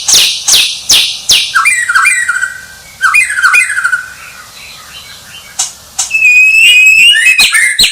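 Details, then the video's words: White-rumped shama song opening with harsh rasping notes, followed by clear falling whistles and a long rising and falling warbled phrase. "Suara Murai Batu Sang Juara"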